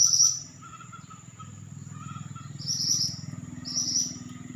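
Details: Pied bushchat in energetic song: a brief high buzzy phrase, quieter twittering notes, then two more sizzling high trills about a second apart over a low pulsing hum and faint steady whine.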